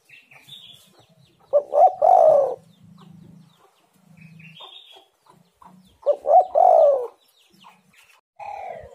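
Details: Spotted dove coo for luring other doves: two clear phrases of two short notes and a long downward-sliding coo, separated by low humming and scattered chirps and whistles from other birds.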